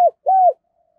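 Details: Decoy spotted dove cooing to lure wild doves: a short clipped note followed by a longer, smooth, mellow mid-pitched coo, then silence.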